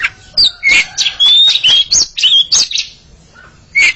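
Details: Two Oriental magpie-robins trading song in a duel, giving bright whistled slurs and clipped chirps in quick bursts, then a short pause before a final rising whistle.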